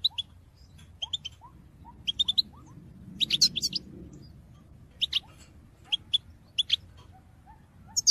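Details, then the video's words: European goldfinch singing in 2022, a call-song meant to spur other birds: quick clusters of bright, high chirps and liquid twitters, with faint upslurred whistles in between and a low murmur near the middle. "Top chant d'appel chardonneret pour motiver vos oiseaux"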